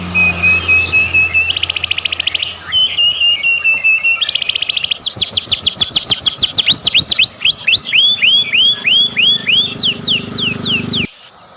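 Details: White-rumped shama lure song meant to provoke other shamas into singing: a loud, varied run of whistled phrases and buzzy trills, then rapid repeated up-sweeping notes, with a low hum beneath and an abrupt ending.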